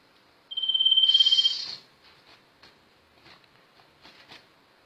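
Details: Sirtu bird (sirpu) in rolling gacor ngerol song: one sustained high pure whistle that breaks into a rough buzzy rattle, then faint scattered clicks and ticks.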